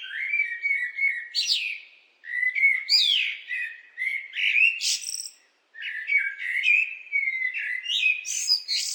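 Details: Three unhurried blackbird phrases, each a run of warm fluty notes closing with a thin, scratchy high squeak, spaced by short gaps, with no other sounds.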